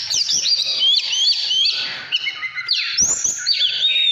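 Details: Energetic 'căn lửa' singing by an Oriental magpie-robin, 2017: clear high whistles rising and falling, interspersed with buzzy, scratchy passages and one brief thump.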